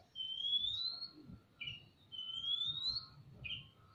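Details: Oriental magpie-robins, male and female, calling back and forth in a semi-natural aviary: a long, clear, rising whistle, then a short burry note, heard twice about two seconds apart, over a faint low hum.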